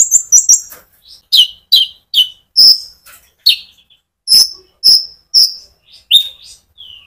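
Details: Sunbird belting out rolling song as a stimulus for other birds; rapid high ticks at the start, then a regular series of sharp downward-sweeping chips about every half second, ending in a soft falling whistle.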